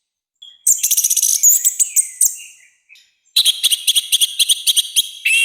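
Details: Loud, harsh song of an orange-headed thrush used for training and provoking other birds: bursts of rapid repeated high rattling notes, about three to four per second, broken by a short pause.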